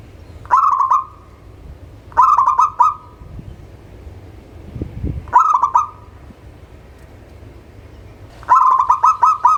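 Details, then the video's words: Song of a local-type zebra dove, offered as a prompt for birds slow to sing: four staccato bursts of quick, bubbling coo notes, each fading into a held tone, irregularly spaced, with a faint background hum. "SUARA Pancingan Burung Perkutut LOKAL"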